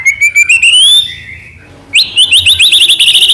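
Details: White-rumped shama from Medan singing as a lure for caged birds: a long rising whistle, a short pause, then a rapid chain of chirped, down-slurred notes.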